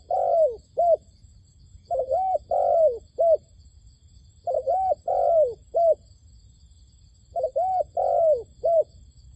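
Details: A dove, used to lure wild doves to a trap, coos in soft, low, rounded phrases of three or four notes, each phrase repeated about every three seconds over a faint high insect hum.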